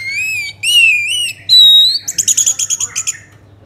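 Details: Orange-headed thrush singing as a lure for other birds: long clear whistles that rise and waver, a higher sustained note, then a rapid series of about ten short, sharp repeated notes.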